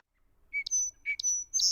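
A brief Song Sparrow song fragment: clear mid-pitched whistled notes alternating with quick buzzy bursts and a thin, high sustained tone, all within under two seconds.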